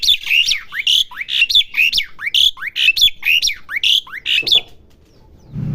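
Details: Home-kept Asian pied starling learning its song: a steady chain of upslurred whistles with rasping, buzzy tops, about two phrases a second for four seconds, then quiet with a low thump at the end.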